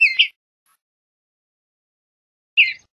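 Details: Western bluebird giving two short, slightly buzzy chirps, one at the start and another about two and a half seconds later, with quiet silence between.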